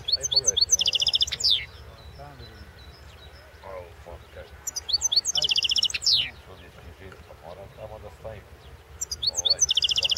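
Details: European goldfinch at a 2016 world championship song contest: three repeated phrases of rapid twittering ending in an even trill and a falling buzzy slur, with softer murmuring in the pauses.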